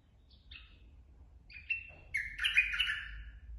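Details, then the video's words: Bulbul, a large forest bird, sings short sweet whistled notes, then a loud rich bubbling warble from about two seconds that runs to the end, over a low steady rumble. "merbah lekir bapak hutan"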